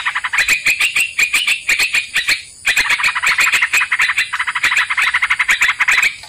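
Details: Sooty-headed bulbul sound used to lure and trap birds: rapid scratchy notes in tight rhythmic series, a short break near two and a half seconds, then the chatter resumes steadily with a high hiss behind.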